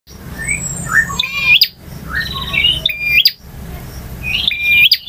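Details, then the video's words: Male bar-winged prinia singing in varied styles called ngotot, ngalun, variasi and kristal: strident high phrases with sharp hooked notes, repeated about every one and a half seconds, with brief gaps between bursts. "KICAU PRENJAK JANTAN FULL VARIASI DURASI PANJANG || NGOTOT,NGALUN,VARIASI,KRISTAL"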